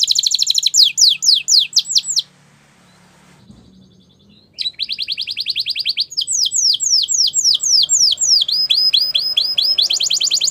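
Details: Gloster canary song of rapid descending whistles, broken by a short quiet gap with soft rustling, then resuming with fast trills and buzzy phrases.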